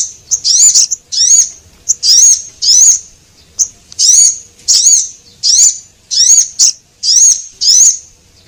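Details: Male and female Javan munia lure call meant to attract small birds. Regular high-pitched squeaky chirps with a rising-falling curve come roughly every 0.6 seconds, with short faint ticks between them.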